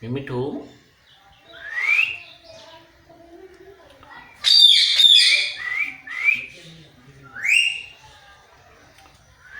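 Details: Parrot talking in a cat voice: low voiced syllables at first, then scattered upslurred whistles and a loud harsh squawk, with gaps of quiet between.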